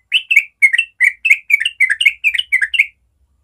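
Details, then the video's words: Trucukan, the yellow-vented bulbul, singing a rapid ropel phrase in the morning: about twelve bright, liquid, slurred notes in quick succession, evenly spaced, ending abruptly with no other sounds. "Masteran Trucuk ropel suara alami pagi hari"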